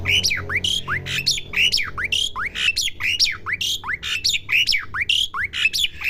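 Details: Young Asian pied starling learning to sing: a steady run of rising whistled sweeps alternating with short harsh, noisy bursts, roughly one phrase every second and a half, over a faint low hum.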